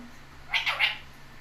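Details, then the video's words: Pet parrot saying "mitthu" clearly: two or three quick, high, scratchy speech-like syllables packed into under half a second, with a quiet background before and after. "saying mitthu clear"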